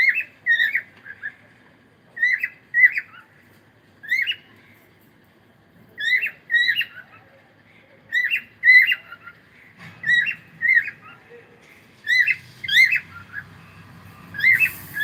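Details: Morning singing from a cockatiel: paired whistled chirps repeated roughly every two seconds throughout, with faint rustling in the background toward the end.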